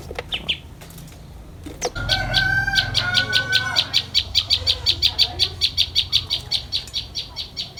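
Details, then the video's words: Common tailorbird, a parent bringing food to its chicks: after a few scattered notes, a long, fast, steady run of sharp high pulses about three per second, with a brief lower tonal sound partway through. "Chim Mẹ Tha Mồi Về Cho Chim Non - chim chích bông"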